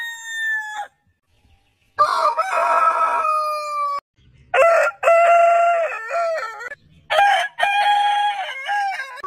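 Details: Heritage-breed roosters crowing in turn: the end of one crow, then a long, falling crow, then choppy crows that step up and down in pitch.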